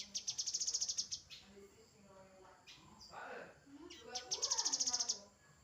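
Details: Two bright, high-pitched rattling trills from a grey-headed canary-flycatcher, each about a second of fast evenly spaced notes, separated by quieter warbled phrases and faint background birds.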